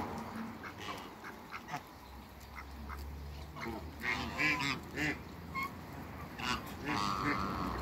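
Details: Muscovy ducks, a pair in a backyard farm with other waterbirds, giving harsh, nasal quacks in irregular bursts that grow louder and denser in the second half, overlapping with calls from other fowl nearby.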